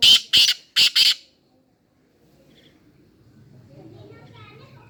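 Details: Black francolin (kala teetar) calling: four loud, harsh, grating bursts in quick succession within just over a second, the middle pair close together, followed by near silence with faint low background rumble and distant chirps.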